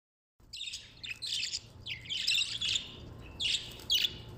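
Budgerigars chatter in quick, scratchy, high chirps and warbles, coming in short bursts every half second or so over a faint low hum.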